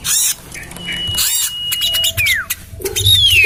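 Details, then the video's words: Lure call of the common iora: a sustained level whistle, then a clear descending slur and a second rising-falling whistle, with harsh bursts and chatter from other birds around it. "Suara pikat burung sirtu cipoh terampuh sepanjang masa"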